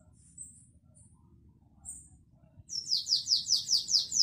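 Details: Classic Belgian-style canary song: a few soft, thin high notes, then a strong, pulsing series of about eight downward-sweeping whistles in quick succession, over faint low rumble.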